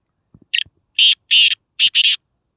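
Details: Black francolin calling in Khushab, Pakistan: a harsh, grating phrase of one short scratchy note followed by two longer rasping notes, then a short note and two long rasping notes again, all loud and broadband, with faint low thumps before.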